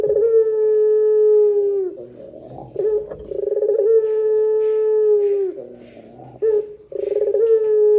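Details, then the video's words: Barbary dove giving the drawn-out pelung-type call, used as a lure sound: repeated long level hooting notes lasting about two seconds, each ending in a slight drop, linked by low rolling purrs and a short rolled coo. "SUARA PUTER PELUNG PANJANG JOSS . PANCINGAN SUARA PUTER GACOR DORRR JERNIH"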